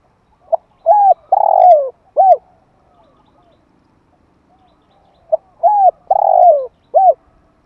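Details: Spotted dove calling to stir up decoy birds: two phrases about five seconds apart, each a short soft note, then two mellow coos, a longer descending rolled coo and a final arched coo, in an otherwise quiet background.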